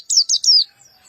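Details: White-eye of the black-eyed type with a rough, short-burst voice gives three quick, high, harsh notes, the last one longer and falling, then quiet.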